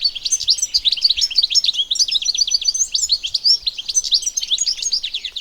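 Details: European goldfinch singing in the wild: a continuous, rapid twittering of bright, tinkling notes with quick rising and falling trills and buzzy flourishes, steady for the whole stretch with no other clear sounds.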